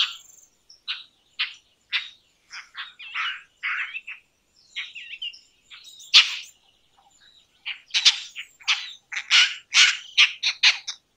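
Indian roller giving harsh, rasping croaks in uneven bursts, a couple each second, with a few thinner chirps early and a louder run of grating notes toward the end.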